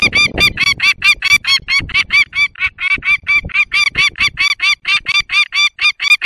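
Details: Peregrine falcon alarmed near its nest in the Barycz Valley, Poland, late morning of 19 March 2022, giving a relentless run of loud, harsh, grating kek notes, about two per second, without pause.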